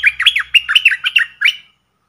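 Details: Streak-eared bulbul kept as a caged decoy, calling to draw in wild birds. A quick run of about ten loud, bubbly, slurred notes in rapid succession, each rising and falling, then stopping abruptly.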